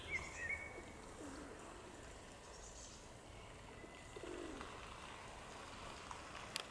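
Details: A feral pigeon (Columba livia domestica) in Tivoli landscape park, Ljubljana, on 27 June 2022, gives two soft, low, rumbling coos a few seconds apart, with a brief high chirp from another bird and steady outdoor background noise.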